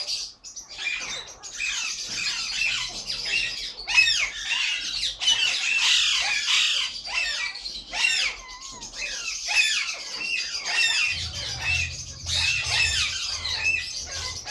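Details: A three-year-old breeding pair of caged Alexandrine parakeets give harsh, high squawks and screeches almost continuously, with a low hum underneath toward the end.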